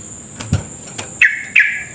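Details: Two clear whistled notes from a sooty-headed bulbul, sung as a lure to provoke rivals into rapid song; each note starts high and settles lower. Faint clicks come before, and a steady high whine runs throughout.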